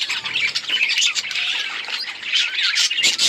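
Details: Many budgerigars chirping together in a colony, dense overlapping high squawks and warbled chatter with no pauses, scattered short tonal whistles on top.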